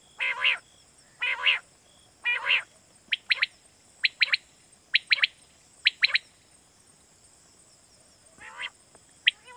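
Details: Lure call of quail for night hunting, Pakistan: three hoarse, buzzy rasps open, followed by a run of bright, sharp double and triple notes about once a second, then more rasping, over steady hiss.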